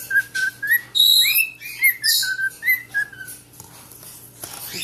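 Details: Parrot whistling in a room, giving rapid short whistled notes and rising slurs, several per second, mixed with scratchy squeaks, then fading to quiet noise.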